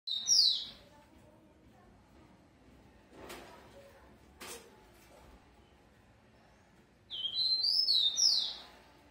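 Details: Captive-bred rufous-collared sparrow, described as very fast, sings two short whistled phrases: one at the start and another near the end, each with slurred high notes. Between them are a few sharp clicks and knocks in the quiet room.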